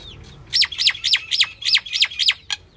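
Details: Seven harsh, scratchy calls from a female common myna, each falling sharply in pitch, delivered at a brisk, steady pace and ending with one short clipped note.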